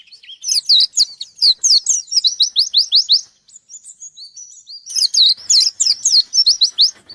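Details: Loud white-eye song directed at a rival: two dense, energetic bursts of rapid, high, downward-slurred chirps, separated by a brief pause filled with faint thin whistles.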